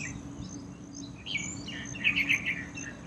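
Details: A yellow-vented bulbul bathing in a small courtyard water pool gives a few bright, bubbly chirps, ending in a quick cluster of notes, over a steady low hum and faint background noise.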